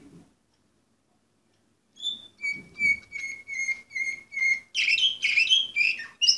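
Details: After a near-silent pause with faint low thumps, an Orpheus canary, 2014 number 24, starts a regular series of clear repeated notes that builds into loud tumbling, buzzy phrases.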